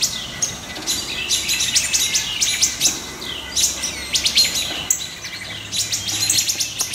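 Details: Mobbing alarm of a wood thrush and companions scolding a great horned owlet to drive it off their nesting area, woods, July 6 2019; hard clicking notes tumble out in fast runs, then a brief lull and more bursts.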